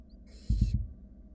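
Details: Wild barn owl nestling in a nest box beside a sibling swallowing a rat; a single short breathy hiss, under half a second, overlaid by three loud low thumps of movement.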